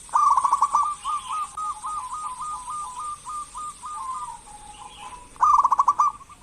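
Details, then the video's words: Local zebra dove in full voice, recorded to prompt reluctant doves to sing: a rolling trill opens into a long evenly spaced series of short clipped coos that slows and fades, then a fresh loud trill. "Perkutut lokal gacor pancingan perkutut malas agar bunyi"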